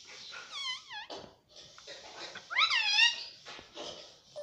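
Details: Pet Indian ringneck parrot indoors gives wavering, harmonic-rich calls. Two rising-and-falling phrases are separated by short noisy bursts and a pause.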